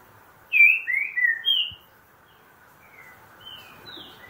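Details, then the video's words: Green-winged saltator singing in the "boca mole" song style: a loud phrase of three or four clear, slurred whistles that slide downward, then a pause and a softer phrase of rising whistled notes. "Trinca ferro boca mole"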